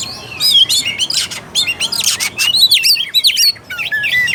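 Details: Oriental magpie-robin singing loudly and continuously to provoke a lazy, low-fight bird: dense clusters of high chirps, rattling bursts and looping whistled phrases with barely a gap.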